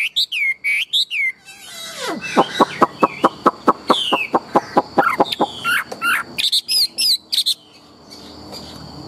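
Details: Large tame Chinese hwamei singing vigorously: looping whistles open the phrase, then a long run of sharp, evenly spaced clicking notes, ending in high twisting whistles.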